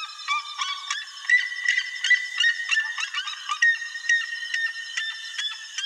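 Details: Wild chalk-browed mockingbird (Mimus saturninus) gives a fast, continuous run of rich, slightly buzzy notes and chatters, varied in pitch with little pause between phrases.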